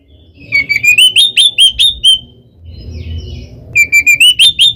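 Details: An oriental magpie-robin sings a provoking fight song: a run of about eight bright, repeated ringing whistles, a quiet pause with faint background hum, then the same rapid whistled notes resume.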